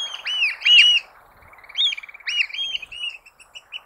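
Eurasian oystercatcher giving loud, shrill piping notes, arched 'kleep' calls in quick bursts with brief pauses, then a run of quieter, clipped peeps.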